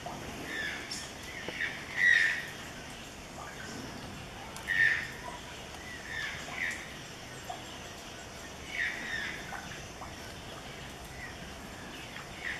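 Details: Robust woodpecker calling in a backyard used for birdwatching: harsh, squawky notes given singly at irregular intervals of two to three seconds, over steady background hiss and insect-like noise.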